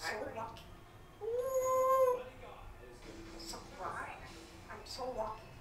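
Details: Six-year-old pet African Grey parrot indoors, giving a clear steady whistle of about one second amid mumbled speech-like chatter and clicks, with a second parrot in the room.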